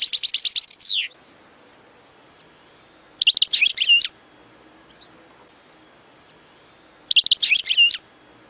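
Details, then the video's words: European goldfinch song played for training young birds to sing: three short bursts of rapid, bright twittering and tinkling notes with a descending slurred end, separated by pauses of about two to three seconds. "اقوى تغريد لتسميع فراخ الحسون خالي من الاخطاء"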